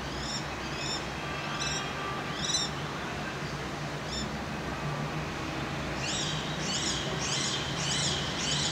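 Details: Male common kestrel calling for his mate in spring in Cairo, near a house wall where the pair later nested. Sharp, high, arched notes at first widely spaced, then a quicker run of louder repeated notes, over steady urban hum.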